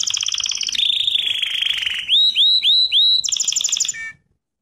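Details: Canary singing a training lesson: rapid trilled tours, a long buzzy rolling trill, then four clear upslurred whistles about every third of a second, ending in a fast bright trill.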